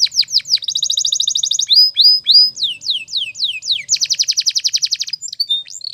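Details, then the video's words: Morning training song of a Spanish Timbrado canary, meant to get other canaries singing: quick falling sweeps, a dense metallic trill, a run of drawn-out descending whistles, then another rapid rolling trill. "The Best Canary Training Song In The Morning !! Make Your Canary Singing Again"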